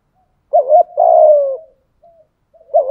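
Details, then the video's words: A spotted dove in thúc gù calling: a wavering opening note runs into a sustained, gently falling coo, a faint soft note follows, then the next phrase begins. "tieng chim cu gáy thúc gù/ gáy gọi"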